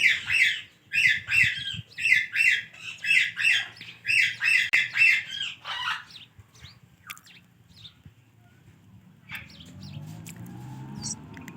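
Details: Ringneck parakeet giving a steady series of sharp, harsh squawks roughly once a second for six seconds, then falling silent apart from a few faint clicks and a low hum.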